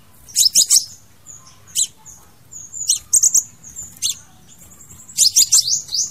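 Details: High, thin Crimson sunbird song of the kind used to call in or trap birds: sharp chips and brief twittering trills mixed with faint high whistles, repeated in bursts over several seconds.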